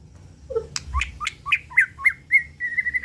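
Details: Murai batu, the white-rumped shama of the 'pastol' type, in an original lure recording meant to excite birds: one low note, then a quick series of clipped rising chirps that ends in sustained, level, fluttering whistles.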